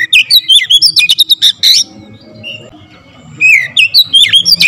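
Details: Oriental magpie-robin in vigorous tight-burst song with full variation of fill-in phrases: a fast series of sharp whistled notes, a short quiet pause, then another quick string of sweeping calls.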